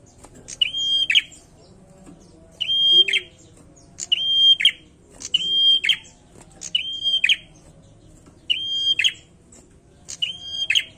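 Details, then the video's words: Bar-winged prinia in steady song, repeating a high phrase of sharp clicks around a level whistled note roughly every one and a half seconds, seven times over quiet background. "PRENJAK GACOR MANTAP BETUL"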